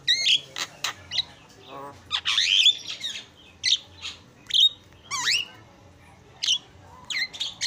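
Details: Javan myna in a cage, a noisy master bird for cage-bird training, uttering scattered loud harsh squawks and upward-sweeping screechy whistles separated by short pauses.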